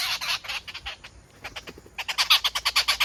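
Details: Rufous treepie calling: harsh, rasping notes, first a few loud ones, then a quieter stretch, then a fast series of strong scratchy pulses about five a second.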